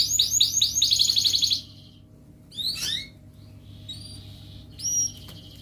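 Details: Canary used as a singing lure for lazy canaries. A rapid high rolling trill lasts about one and a half seconds, then after a pause come a sliding chirp phrase and a few thin, high, short whistles.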